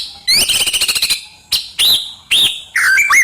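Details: A shama song used to excite rival birds opens with a fast, rattling buzzy trill, then breaks into loud, separate upslurred whistles with short pauses between them, and ends on lower warbled notes.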